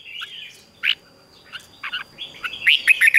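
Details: A red-whiskered bulbul, being trained to sing, sings bright, chirpy whistled phrases in quick bursts, rising toward the end, with a faint steady high tone behind.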